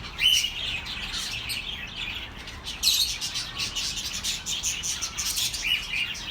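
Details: Pet budgerigar chatter meant to calm lonely birds: continuous high twittering warble with brief whistled notes and louder chirp bursts near the start and middle, several birds overlapping, soft background hiss.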